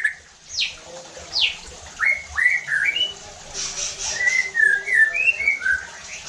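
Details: Lure song of a White-rumped shama for raising other shamas' aggression: two high, sharp downward notes, then a sequence of lower whistled, bending phrases repeated several times, with a faint hiss in the background.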